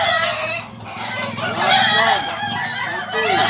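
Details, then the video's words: Singing Kukuak Balenggek roosters from Solok give drawn-out, bright, wavering crows that rise and fall, mixed with low curved clucks and steady background murmur from a crowd. "Ayam kukuak balenggek ayam penyanyi asli solok"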